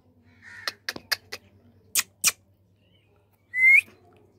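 Rose-ringed parakeet giving a run of short, harsh clicks and two raspy squawks, then one clear rising whistle near the end.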